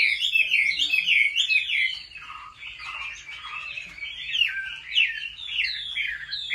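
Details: Home-trained Chinese hwamei in competitive song: bright, rapid whistled trills and swooping notes, loud at first, then a softer stretch of lower slurred phrases before the song swells again.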